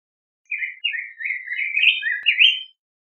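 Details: Yellow grosbeak singing one smooth phrase of connected, warbled whistles that rise and fall for about two seconds in a quiet setting.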